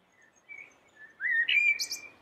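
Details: Common blackbird with a yellow bill singing: a few soft, low fluted notes, then a louder sweeping whistle that trails off into high, scratchy squeaks.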